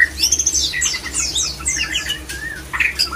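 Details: White-rumped shama mating song for stirring other shamas to breed: very high, thin sweeping notes and twitters in quick succession, a brief pause, then a smooth gliding whistle and a few sharp upslurs, with a faint low hum.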